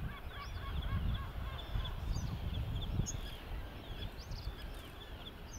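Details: Bluethroat singing on the Isle of May, Fife, in May 2019 during migration: a run of rapid, varied, harmonic chattering and nasal notes repeated in quick succession, fairly faint under steady low wind rumble.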